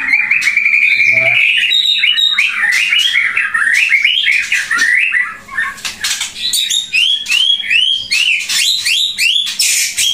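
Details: Loud white-rumped shama from Pasaman, Indonesia, kept to tutor other shamas. It sings continuously in rich, rapid, rolling phrases of looping whistles and sharp notes, barely pausing, with a faint low hum behind.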